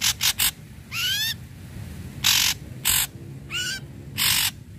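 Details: Singing Ashy Drongo, used to encourage other drongos to sing. Quick harsh chatter leads into rising ringing whistles, with loud rasping bursts spaced about every second between two swooping whistled notes.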